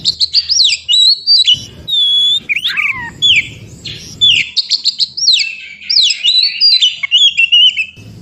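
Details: Oriental magpie-robin singing in the wild forest, a recording played to spur birds that have stopped singing: loud varied whistled phrases, sweeping rising and falling slurs and sharp chips, delivered in bursts with brief pauses between them.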